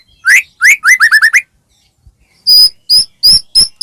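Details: White-rumped shama used as a singing lure for other shamas. A quick cluster of rising whistled notes is followed, after a short silence, by bright, high, steady whistles spaced about a third of a second apart.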